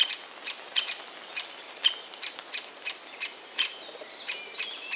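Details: A Great Spotted Woodpecker chick in a tree hollow gives sharp, high, clicking chirps, several a second in an uneven stream, with one parent present and the other parent's voice in the background.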